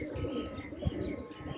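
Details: Low, soft, throaty rolling cooing from several overlapping pigeons in a flock of mostly males with four or five females, in Pakistan, with a brief louder thump midway and faint background noise.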